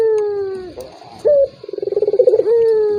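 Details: Turtle dove call meant to goad a silent rival into calling: the tail of a falling coo, then a brief sharp note and a rapid rolling trill leading into another long descending coo.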